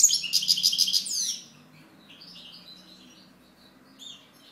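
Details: European goldfinch song: a fast, high, rattling trill of repeated notes lasting over a second, then softer scattered twitters and a faint final chirp over low background hum.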